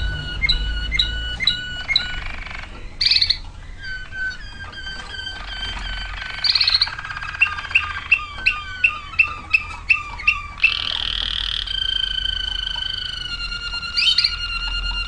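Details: Long waterslager canary performance: varied bell-like notes, bubbling watery bursts, a series of sharp clicking pips at steady intervals, then rolling trills and a bright closing note, with faint low rumble beneath.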